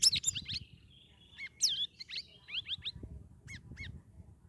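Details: Captive Straw-headed Bulbul (cucak rawis), two weeks from a communal holding cage, singing vigorously: a run of bubbly, varied whistled phrases with rising and falling slurs, and later two short, spaced whistles over a low background rumble.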